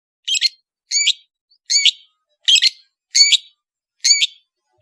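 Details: Long-tailed shrike (cendet) singing briskly as a tutor recording: one short scratchy phrase with a rising whistled tail, repeated six times about every 0.7 seconds. The background is clean.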